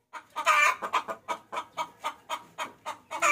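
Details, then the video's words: Hen calling a rooster, recorded as a lure: a loud raspy squawk opening a brisk series of about a dozen rhythmic clucks, ending on another strong squawk. "Suara Pikat Ayam Betina Memanggil Jantan"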